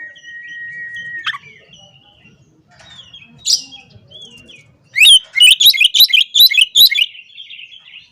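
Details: Oriental magpie-robin singing in the morning to provoke rivals and call opponents; after a long steady whistle and scattered soft notes, a loud burst of rapid, varied, sweet phrases comes in quick clusters.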